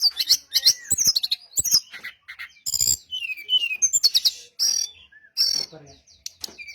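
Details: Brown-chested jungle flycatcher song used as a lure to make others of its kind answer: rapid, varied high chirps, buzzy trilled bursts, sweeping whistles and sharp clicks, delivered in quick phrases broken by brief pauses.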